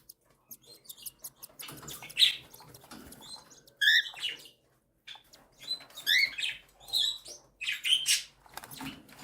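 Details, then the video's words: Cockatiel mother feeding her three chicks, aged one and seven days: short high squeaky chirps and rising peeps in clustered bursts with quiet gaps and light rustling. "Cockatiel Gently Feeds Her 3 Chicks"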